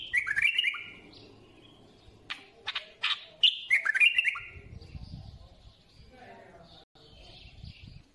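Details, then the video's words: A bulbul sings two lively warbled phrases of quick whistles. Between them come a few broadband knocks, with soft rustling and low thuds afterwards. "سمع بلابيلك وشوف تغريد بلابل"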